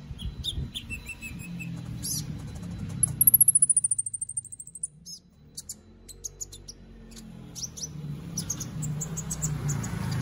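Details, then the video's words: White-rumped shama, a captive contest bird from Palu, Central Sulawesi, Indonesia. Varied chirps and a short low trill lead to a fast high descending trill, then scattered notes over rising background rumble. "LOMBA KONIN ONLINE 20 - Aksi KONIN"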